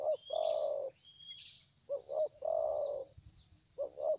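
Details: Spotted dove decoy in a bird-catching session, unwilling to attack and possibly moulting, phone recording: a sustained purring coo, twin short pulsed notes and a second long coo, with a steady high-pitched insect whine throughout.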